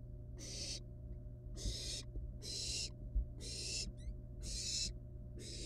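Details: Nestling wild barn owls at their nest with live rat prey. Harsh hisses repeat about every second, with a few brief, faint, high squeaks between them and occasional soft thuds.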